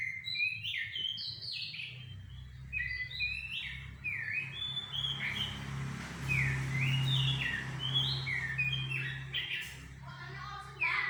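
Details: Sumatran laughingthrush (goci) singing to provoke a reply: a lively, continuous string of short whistled notes, mostly quick up-and-down slurs in rapid clusters, over a steady low hum.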